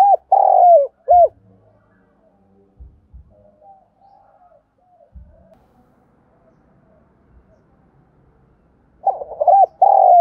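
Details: Decoy spotted dove coos to lure wild doves: a long sliding coo and short hoot at the start, a long quiet stretch with faint thuds, then a new phrase of arched coos ending in a sustained note.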